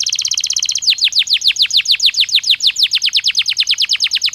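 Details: Belgian canary in a training stimulus recording: a quick chatter of high notes shifting into a steady rapid trill of downslurred notes, loud and regular.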